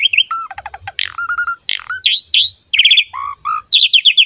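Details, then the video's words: Asian pied starling in lively, pumping song used to lure other starlings into singing: fast mix of chattering trills, buzzy notes, clear level whistles and rising slurred notes in short bursts. "SUARA JALAK SUREN GACOR MOMPA UNTUK PANCINGAN JALAK"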